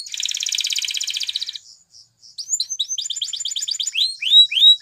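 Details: Song of a Spanish Timbrado canary for training: a long buzzy rattle, a short pause with soft notes, then a quickening series of falling whistled chirps.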